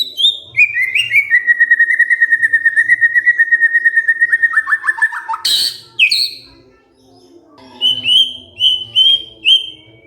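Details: Provoked white-rumped shama singing back gacor: a long steady trill of quick repeated notes that drops lower near its end, a sharp burst, then short high whistled phrases.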